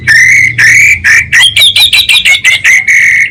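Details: Orange-headed thrush repeating drawn-out buzzy notes, then a quick stutter of rasping syllables about twice a second, in the 'kabel konslet' style, loud and close.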